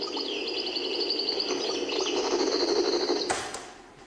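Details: A caged European goldfinch kept in the El Biar area of Algiers improvises and practises its song: a high, rapid, liquid twitter of tinkling notes and short trills, heard indoors over a low room murmur.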